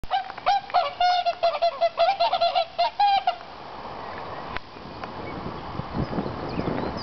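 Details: Tundra swans living in a nature park give a rapid run of nasal, honking calls, several a second for about three and a half seconds. The calls then stop, leaving rushing wind-like noise and a faint knock.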